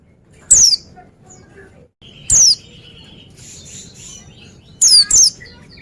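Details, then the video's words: Oriental white-eye in lively voice, with isolated high, thin, downslurred whistles spaced about two seconds apart, ending in a quick pair, plus a faint steady tone in the background. "Jamin Pleci Lain Nyaut Gacor Dengar Suara Burung Pleci Ini"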